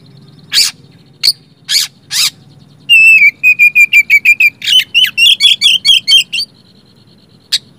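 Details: Oriental magpie-robin song used as a lure to prompt silent magpie-robins to sing: a few harsh rasping bursts, then a quick run of about a dozen bright, clipped whistled notes, each slightly bending, ending with one soft note over a faint low hum.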